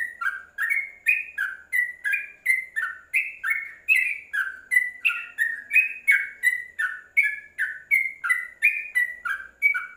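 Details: A yellow-vented bulbul, caged under a cover, pours out a long, even stream of liquid whistled notes at a quick pace, each note slurring up or down, with no other sounds.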